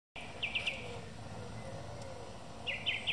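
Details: Song thrush singing in the evening: a short phrase of three quick, sharp repeated notes, a pause of about two seconds, then the same triple-note phrase repeated, over a soft steady background hiss.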